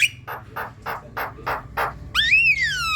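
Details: Black-winged myna song meant to stir a caged myna to sing: six evenly spaced harsh rasps, then one long whistle that rises and slowly falls.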